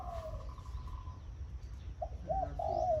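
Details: A decoy zebra dove, once a captive-caught bird, sings 'khan yon' in the morning: a drawn-out falling coo, then a burst of short rolling notes ending in a longer warbling coo, with low steady background noise.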